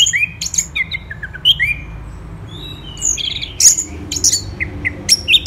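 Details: Orange-headed thrush singing, a varied run of short whistled and slurred notes, some rising and falling, delivered in quick bursts with brief pauses, against a low steady background hum.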